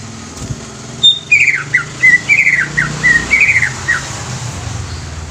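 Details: Young greater green leafbird song for stimulating newly caught leafbirds: a high thin note opens a string of short whistled, down-slurred phrases repeated about four times a second, with a low rumble behind.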